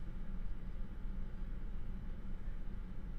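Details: Steady low droning hum like a running engine, with no animal calls.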